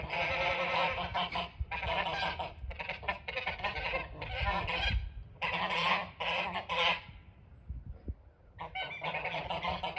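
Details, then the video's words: Snow geese flock heard from a front porch, a dense chorus of harsh nasal honks in continuous overlapping bursts, briefly thinning around the eighth second before resuming, under constant broadband hiss. "Snow Geese Making Noise"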